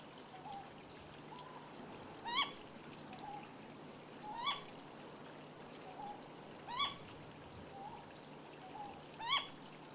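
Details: Wild Ryukyu scops owl calling on Yonaguni, where one bird gives both male and female call types: a short, ringing hoot repeated roughly every two and a half seconds, with softer, lower single notes in between, over steady hiss and a faint low hum.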